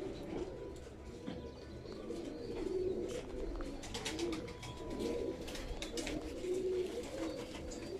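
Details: Domestic pigeons of the rare, old Imam Deen breed kept by fanciers: soft, low cooing phrases recur every second or two against a steady background hum and scattered rustling and clatter.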